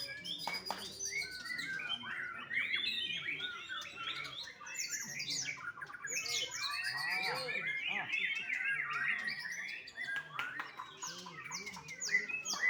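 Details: Young white-rumped shama bred at a bird farm in Bali, delivering a busy, jumbled song of rising whistles, sharp chirps and buzzy phrases, continuous for over twelve seconds with a few clicks in between.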